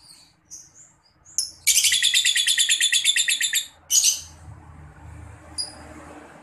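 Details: Lovebird 'paud balibu' lure sound, often used by Indonesian lovebird players so their birds answer quickly: a burst of rapid, shrill, rattling chatter for about two seconds, followed by a harsh squawk and a brief high chirp.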